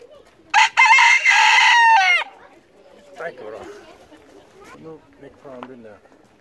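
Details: Free-roaming farm rooster, not shy, lets out one strong rasping crow lasting about a second and a half that drops at the end, then softer clucks and low background farm sounds follow.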